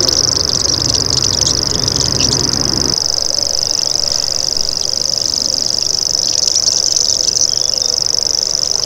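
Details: Continuous high, insect-like trill of a common grasshopper warbler, steady from start to finish; a low rumble drops away after about three seconds, and a few faint bird chirps break in near the end.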